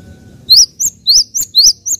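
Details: Java sparrow (gelatik) giving a run of six bright, high, rising-then-falling chirps, loud and alternating longer and shorter notes over two seconds, faint low hum behind.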